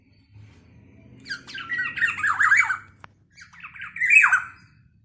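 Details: Black-naped oriole calling actively, a sound described as angering other orioles: two bursts of scratchy, nasal, falling squawks separated by a short gap, over faint low background hum.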